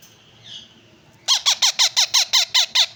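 Young yellow ringneck parakeets give a fast run of about nine harsh, rasping squawks, roughly six per second, after a second of near silence indoors.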